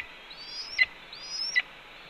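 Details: Red-tailed hawk calling at its nest on the afternoon of 4 May 2013 as its mate, having brought two voles, eats a pigeon. Two calls, each a thin whistle rising and sliding upward, then a brief harsh downward burst, over steady background hiss.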